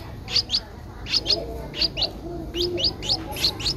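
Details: A 12-day-old Streak-eared Bulbul nestling recorded 14 April 2023 in Ubon Ratchathani, Thailand, gives high squeaky chirps mostly in quick pairs, each pair about half a second apart, with faint low murmuring behind.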